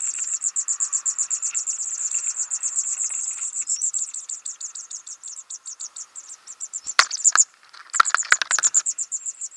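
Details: Nestlings being fed call in a rapid, unbroken series of very high, thin peeps, several per second. Late on, sharp rustling clicks break in before the fast peeping resumes.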